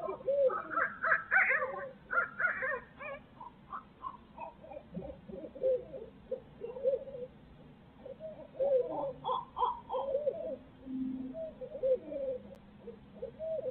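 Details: Barred owls in Midtown Tulsa on a live feed: an excited, chaotic stretch of hoots and higher cackling, wailing notes in rapid uneven bursts, easing then picking up again near the end.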